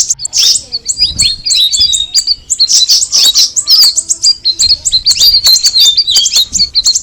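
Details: Straw-headed bulbul (cucak rawis) in full song: continuous rapid high chirping mixed with whistled slides and bubbling twitters.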